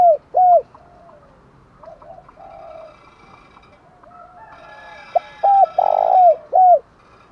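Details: Spotted dove urging coo, the 'thúc gù' style used to rouse wild birds and decoys: two hooked coos open, quieter cooing in between, then a full phrase of short notes around a long hoarse coo.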